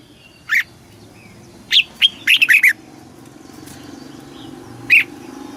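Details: Southern master-style song of a caged Red-whiskered bulbul, meant to stimulate caged birds and train young birds; scattered single whistled notes, then a short quick cluster of slurred phrases and one late note, with steady background hiss.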